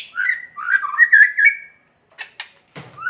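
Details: White-rumped shama kretekan song, used to provoke other shamas into singing: a run of loud whistled, warbling notes around mid pitch for under two seconds, then a few sharp clicks and a short rising whistle.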